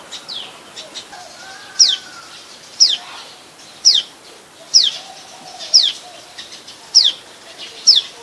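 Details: Common tailorbird, adult, recorded in Ubon Ratchathani, Thailand, 27 January 2021: loud, sharp downward-sweeping notes given roughly once a second, seven in a row, with faint softer chirps between them.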